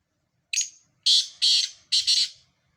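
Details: Black francolin giving its grating call: a thin short note, a pause, then three loud buzzy rasps, the last broken into two parts, with faint low rumbles underneath.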